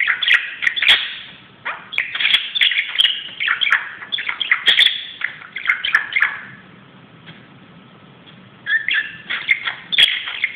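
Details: Budgerigar playing on a closet, fast loud chattering warble with rapid chirps and clicks, a quiet gap of about two seconds, then the chatter resumes.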